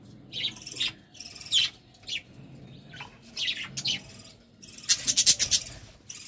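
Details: Budgerigars in a courtship moment trading thin, high chirps and short warbled phrases, ending in a quick run of sharp clicking tweets.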